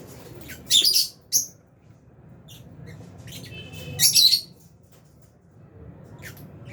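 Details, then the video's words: Aviary lovebirds, albino and Fisher's, eating food: two harsh, high squawky chirps open, then a long pause, then a rasping double chirp and scattered faint ticks over low background rumble. "Lovebirds Chirping Sounds"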